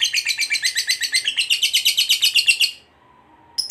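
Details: Lovebird fighter giving its long ngekek trill, used to provoke a rival: a rapid run of harsh chattering notes, about four per second, held for nearly three seconds and then stopping, with a brief note at the very end.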